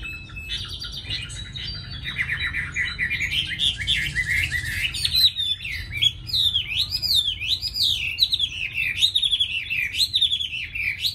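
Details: Tame Chinese hwamei in a cage in Hà Nội, with a highly praised voice, singing a long run of chattering notes that gives way to repeated swooping, wave-like whistles, loud and clear over a faint hum.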